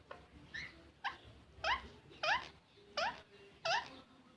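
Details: Green parrot calling in a steady series of six rising, harmonic squawks roughly every half second to second, growing louder after the first few, with little other sound.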